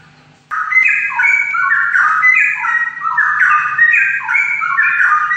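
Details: Continuous song of a straw-headed bulbul (cucak rawa): a loud melodious stream of liquid warbled whistles rising and falling in quick steps, beginning abruptly after a short quiet moment, with a faint hum beneath.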